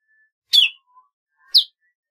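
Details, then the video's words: Golden-fronted leafbird song: two loud, sharp notes sweeping down from high pitch, about one second apart, with a faint low note between them. "tiếng chim thanh tước"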